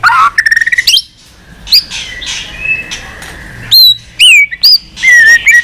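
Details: White-rumped shama fighting song in many voices, used to train and provoke shamas. A fast chattering trill and a level whistle open it, followed by a quiet gap, then several loud whistles that arch and then drop.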